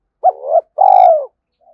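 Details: Spotted dove decoy call for drawing in wild males: one clipped rising coo followed by a single long, deep, purring coo that slowly falls at the end.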